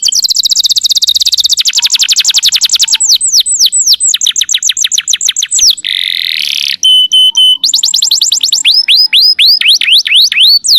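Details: Canary song used as a training recording for other birds: long rapid trills of descending notes, a buzzy rattling section, a steady pure whistled tone, then fast repeated downward-sweeping notes.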